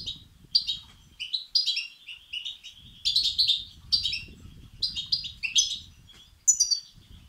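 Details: European goldfinch nestlings calling for food, meant to excite males; rapid strings of thin, scratchy chirps in short bursts, fairly continuous, with soft low-frequency rumble underneath.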